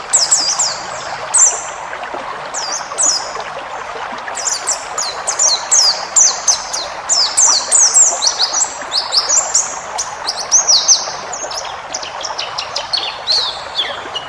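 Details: White-eye of the forest type, used as a tutor recording for caged birds and full of varied phrases: rapid high, thin chirps and twittering trills in dense bursts throughout, over a steady rushing hiss like running water.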